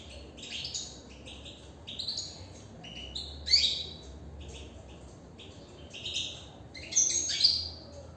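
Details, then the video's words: European goldfinch singing inside a cage: bright, rapid twittering of high chirps and short buzzy trills in loose bursts, with louder clear notes near three and a half and seven seconds. The room is otherwise quiet. "نبدة من انسجام و تغاريد للحسون من داخل السلاكة"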